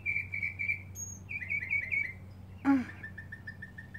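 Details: Mockingbird in a back yard, singing during a long performance aimed at finding a mate: repeated whistled figures, a sudden loud sweeping downward note, then a string of even lower repeated chips.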